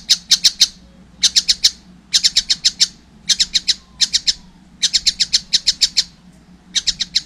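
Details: Young collared kingfisher calling in short bursts of four or five harsh, sharp kek notes, each burst separated by a brief pause, high-pitched and clean against a quiet background.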